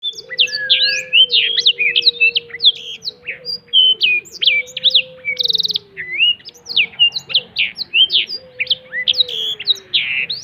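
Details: Black-throated canary spreading its wings while singing in the cetekan style: rapid, varied high chirps and sweeping notes in dense bursts, with a low, drawn-out sliding tone running beneath.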